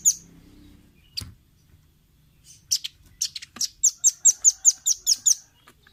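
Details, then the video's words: Velvet-fronted nuthatch recorded as a clear training track for caged birds: a lone chip, then an accelerating run of sharp, high, evenly spaced notes, roughly four or five per second. "Masteran Ampuh burung rambatan paruh merah/masteran audio rambatan jernih mudah di tiru"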